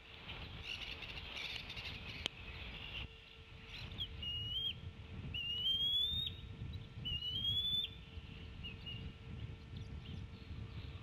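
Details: Female Bald Eagle calling and tea kettling from off the nest at Decorah while the male feeds the eaglets: a few thin, high, rising whistled notes over a steady low hum and background noise.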